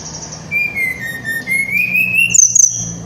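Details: Little Pied Flycatcher singing in 'ngerol nembak' style meant to rile other flycatchers: a long thin whistle gently falling then rising, ending in a sharp high note, over a steady low hum.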